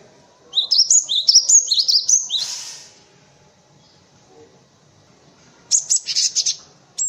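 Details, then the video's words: High rising-and-falling chirped phrases from a cinereous tit, three linked notes climbing in steps, followed after a pause by a buzzier burst; intended to tutor white-eyes and other birds. "Suara Burung Gelatik Batu untuk masteran"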